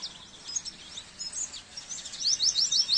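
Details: Oriental white-eye song from a training recording for caged birds: high thin twittering notes rising into a loud rapid run of sharp repeated chirps, about three per second, near the end.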